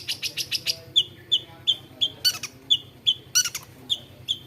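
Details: Long-tailed shrike, a bird that imitates the voices of many other birds, opening with rapid scratchy chirps, then a series of short sharp whistled notes at an even pace with a few harsh bursts between them.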